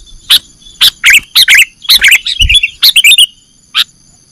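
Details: Lure recording of a sooty-headed bulbul (kutilang) for trapping birds: quick runs of bright twittering chirps, some gliding downward, ending in a single sharp note after a brief pause.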